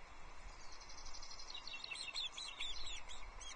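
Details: Osprey nest at Loch Arkaig, 22 June 2024, as the male delivers a small trout to the chicks. A rapid run of high, piping chirps repeated several times a second, rising in intensity, over constant background rumble and hiss.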